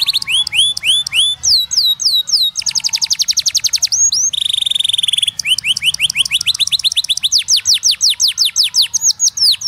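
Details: A canary sings loudly and at close range, changing tours in quick succession: swooping high chirps, a rapid rattling trill, a short buzzy stretch, and then more falling whistled notes.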